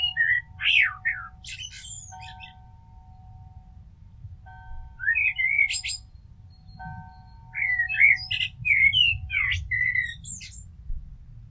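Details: Blackbird song in three bursts of melodic whistles with scratchy, squeaky high flourishes. A steady low tonal hum runs underneath at times, along with a faint rumble.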